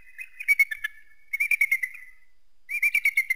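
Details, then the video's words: Eagle producing repeated series of quick, piping whistled notes, each phrase a rapid chatter of about six to eight notes, three phrases in all. "Eagle sounds"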